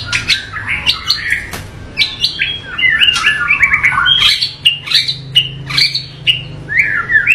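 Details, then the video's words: A white-rumped shama sings a dense, rough-toned varied song. Rapid run of buzzy trills, chattering notes and slurred whistles flows almost without pause, with sharp clicks between phrases and a faint low hum beneath. "MURAI BATU Full Tembakan Variasi Kasar Mewah"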